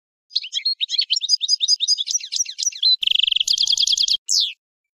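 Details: Goldfinch song, a quick run of tinkling, twittering notes that gives way to a dense buzzing trill and ends with a sharp descending note, clean with no background sounds.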